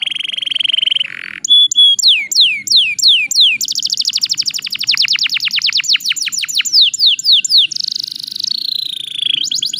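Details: Canary singing to provoke rival birds: a buzzy opening, loud descending whistled sweeps, then a long rapid series of falling notes, a harsh trill, and a final rattle.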